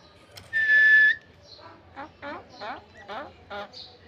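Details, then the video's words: Common hill myna trying to speak with a man, mimicking speech: one long steady whistle, then five or six short, speech-like syllables in quick succession. "Salik bird try to speak with the man | Talking Bird"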